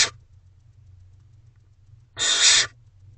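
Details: Barn owl owlets in their nest box at night while a sibling eats a mouse: a single drawn-out breathy hiss-screech over a low steady hum, with the cut-off end of another at the start.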